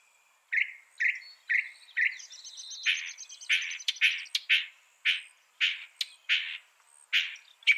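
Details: Northern mockingbird, said to mimic up to 200 sounds, in a training recording for songbirds: a series of short, bright, buzzy notes repeated about twice a second, broken by a harsher, rattling trill midway. No other sounds.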